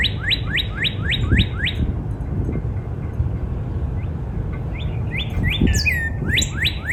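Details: Spring backyard Northern cardinal: a quick series of rising slurred whistles, a pause with faint notes, then more upslurred and falling whistles, while other birds give high chirps and low background rumble continues.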